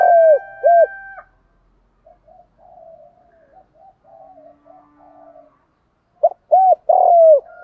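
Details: Spotted dove cooing, a field-style decoy voice meant to provoke wild doves: two short hooked coos open, then quiet faint murmurs, then a louder phrase of short coos leading into a long falling coo.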